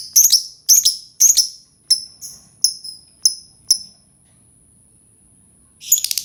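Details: Lovebird song used to prompt other lovebirds to sing: a series of sharp, very high chirps roughly every half second, fading after four seconds, then a brief burst of rapid chattering notes.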